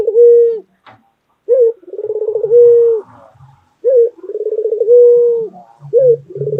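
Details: Loud-voiced white pet dove from Indonesia giving repeated coos, each a brief accented note followed by a quick pulsing trill and a drawn-out level low tone, with faint low rustling underneath.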